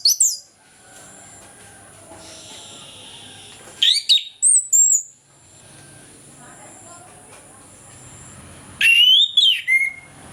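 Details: Orange-headed thrush singing freely in the morning as a lure for silent birds: three separate bursts of quick, piercing whistled phrases with swooping slurs, each a second or so long, set apart by quiet pauses.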